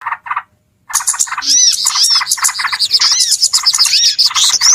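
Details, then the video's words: Noisy small birds in a bird-trapping lure recording: two short chirp bursts, a brief silence, then a dense, continuous chatter of high chirps with arched, whistled notes repeating rapidly. "SUARA PIKAT BURUNG RIBUT"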